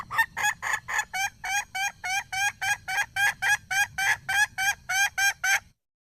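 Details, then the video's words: Red junglefowl hen in the wild repeats short, nasal, bent clucks in a very even rhythm, roughly three and a half per second, for about six seconds. "Suab poj qaib qus seev zoo heev"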